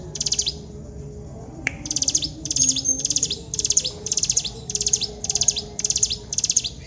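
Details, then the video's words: Mountain prinia song: high, dry, ticking trilled bursts repeated nearly twice per second after an opening pause, over steady low background noise. "CIBLEK GUNUNG GACOR TEMBAKAN PANJANG"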